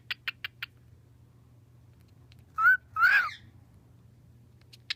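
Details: A pet cockatiel, asked to say hello, talks in two quick, bending, speech-like phrases after a few sharp taps.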